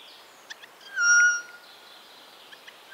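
Eurasian jay song: one loud, clear whistled note, level and slightly falling, held for about half a second, with soft clicks and ticks before and after.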